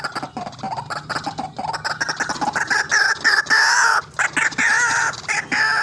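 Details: A vigorously calling white-breasted waterhen, used as a trapping lure: fast stuttering grating notes build into loud, sustained, nasal croaks with brief gaps.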